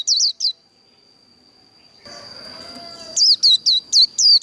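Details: Japanese white-eye fighting song of the líu đấu type, meant to provoke other birds: three quick falling whistles, a long gap with low background noise, then a fresh burst of high slurred notes.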